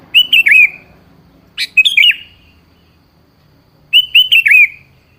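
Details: Sooty-headed bulbul song for luring a rarely singing bird to answer: three separate cheerful phrases, each a quick rising-and-falling cluster of three or four notes, spaced about two seconds apart in quiet surroundings.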